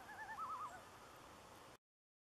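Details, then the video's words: A juvenile common loon on a lake shoreline in Nevis, Minnesota, at sunrise on October 16, 2016, gives a brief, quavering call, a wobbling mid-pitched tone rising and falling several times in under a second, then soft background hiss. "Juvenile Loon Calling"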